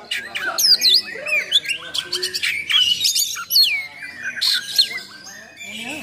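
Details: Full, coarse-filled oriental magpie-robin song for provoking and training other magpie-robins: continuous mix of sharp rising and falling whistles, harsh rasping bursts and chattering notes, delivered fast and varied.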